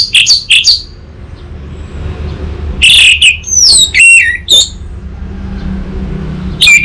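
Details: Tutor and lure song of an orange-headed thrush for untrained birds: a short burst of notes, a quiet gap, then a rich, varied run of slurred, twisting whistles, and a final burst at the end.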